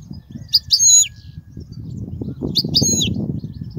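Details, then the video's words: Goldfinch song played to train young goldfinches: two matching phrases of clear, high chirps each ending in a sliding descending note, roughly two seconds apart, with rustling, fluttering low noise in between. "تغريد الحسون"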